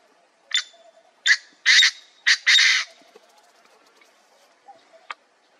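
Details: A painted francolin recorded close up near Nagpur in September 2023 gives a run of five harsh, grating notes over about two seconds, the last two longest, then falls quiet; a faint click follows.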